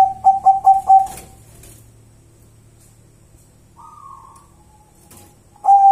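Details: Local wild zebra dove (perkutut) cooing: a quick run of four short, mellow, even-pitched coos opens, then a long quiet stretch with a faint higher whistled note before another coo begins at the end.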